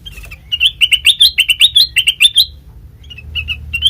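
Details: Sooty-headed bulbul lure sound, used to get untrained bulbuls to answer within a minute: a quick run of about a dozen bright, chirpy notes with upward-flicking inflections over two seconds, then a pause and a few softer chirps, with low rumbling background.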